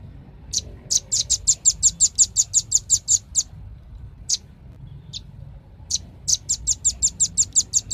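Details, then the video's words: Velvet-fronted nuthatch: a fast trill-like run of about seventeen high chips, then a few scattered single notes, then another quick run of around twelve, all crisp and clear. "SUARA BURUNG RAMBATAN PARUH MERAH"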